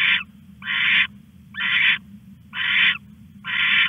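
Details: At 1:41 am on 21 August an owl stashes a rat on a live camera; harsh, hissy rasps about half a second long follow each other roughly every second over low electrical hum.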